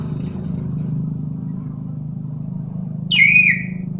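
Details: Common hill myna, a bird known for a loud voice and for imitating other animals' sounds, gives one brief, loud, squawky whistle that drops and then levels off, near the end. A steady low engine-like hum runs throughout.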